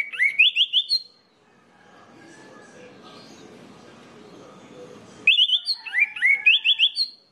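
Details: Orange-headed thrush song used as a lure to set other orange-headed thrushes singing: a quick burst of bright, rising whistled notes, about four seconds of low humming background, then another rapid string of upslurred whistles.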